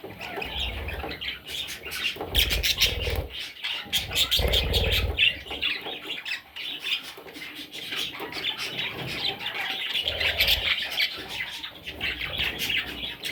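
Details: Nestling parrots squawk and chirp rapidly, about 200 short notes a minute in an uneven rhythm, over bursts of low rumbling background noise.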